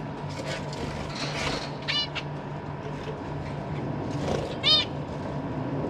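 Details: Zebra finch parents feeding their young in a cage; two clear nasal, buzzy harmonic calls about three seconds apart, with fainter calls and low hum behind.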